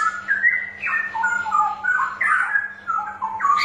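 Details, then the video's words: Straw-headed bulbul song used as a lure to prompt reluctant birds to sing: a loud, rich, bubbling warble of mellow rising and falling whistled phrases, with a faint steady hum beneath. "Suara Pancingan Burung Cucak Rowo Malas Bunyi"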